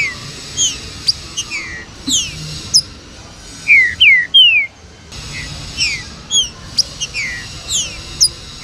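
Green-winged saltator song: bright, sliding whistled notes and quick chirps, about three per second, with a brief lull midway. Other chirping birds may overlap.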